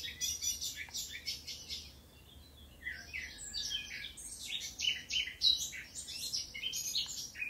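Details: A Eurasian blackcap, recorded in Occitanie, southern France, in 2022, sings a fast, dense warble of high chirps and twittering notes. A low hum sits faintly underneath.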